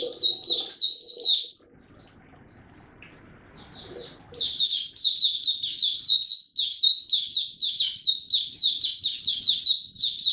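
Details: Young male mata puteh (white-eye) practising its developing song, 9 February 2022: a brief opening burst of high chirps, a quiet gap, then a long, steady stream of quick, sweet, high-pitched notes.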